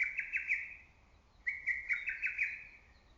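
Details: Lesser cuckoo heard from the trees in early summer: two quick, chattering phrases of clipped notes, the second starting about a second and a half after the first.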